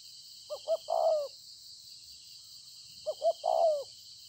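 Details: Wild-caught spotted dove from open fields, kept as a decoy and praised for its good cooing, recorded 26 September 2020: two low phrases of two short coos and a longer drawn, slightly falling croon, about three seconds apart, otherwise quiet.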